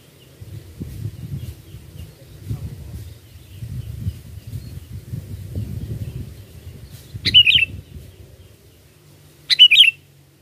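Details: Sooty-headed bulbul song used as a lure for trapping birds: two short, bright, warbled phrases, each under half a second, about two seconds apart, following several seconds of low rumbling background noise.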